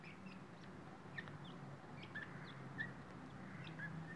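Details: Chicks of the grey francolin (dakhni teetar) give sparse, thin chirps, some higher and downslurred, others lower with a slight upward flick, spaced irregularly against a constant low background drone.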